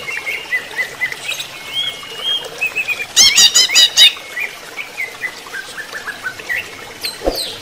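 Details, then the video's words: Greater green leafbird during running-water therapy, giving scattered thin whistles and short slurred notes, with one brief burst of rapid ringing notes in the middle and a sharp click near the end. "terapi air mengalir untuk cucak ijo"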